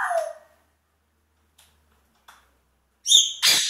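African grey parrot mimicking sound effects: a falling whistled squeal, two soft clicks, then two harsh, rasping squawks close together at the end.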